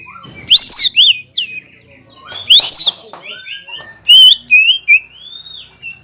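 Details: Greater green leafbird, a caged songbird singing to provoke and rile a rival leafbird: loud rising whistled swoops and sharp high notes in bursts, separated by short gaps, with quieter background chatter.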